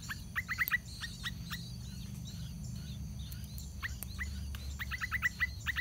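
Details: Yellow-vented bulbuls at the nest as the chicks prepare to fly out, with parents feeding; clustered short, sharp chirps come in bursts at the start and end, with fainter calls between and a quiet background hiss.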